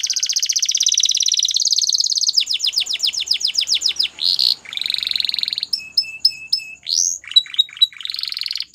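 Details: Belgian canary song opening with a long, fast, even trill, moving to a chain of sweeping notes, a buzzy burst, and then short separate whistles.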